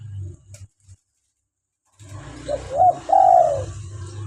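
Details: Local spotted dove, a lively-calling bird whose recorded voice is used to lure wild doves and prompt captive doves to call: after a quiet start with low hum, a short low coo followed by a longer, hoarse, drawn-out coo.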